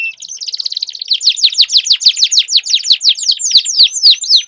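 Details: Two canaries dueling in long rolling song. Quick repeated downward-sweeping whistles run in a steady, bright trill for several seconds.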